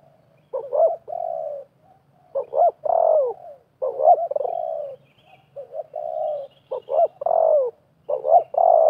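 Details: Contest calling between a wild spotted dove and a decoy bird during trapping in 2024. Throaty coos repeat in clusters of clipped double notes ending in longer descending coos, with a weak distant chirp.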